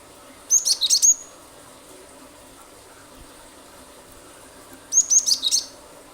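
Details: Cinereous tit (glatik batu), a lure recording of a bird in heavy 'gacor nembak-nembak' song, used to prompt other birds to sing; two short bursts of very high, rapid, sharp chipping notes about four seconds apart, with faint steady background hiss.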